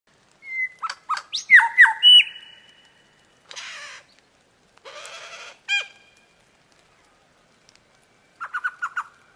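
A lyrebird's varied medley: clear whistles, harsh rasping bursts, a sharp metallic note, then a fast stuttering run of chips, mixing mimicked and rich tones.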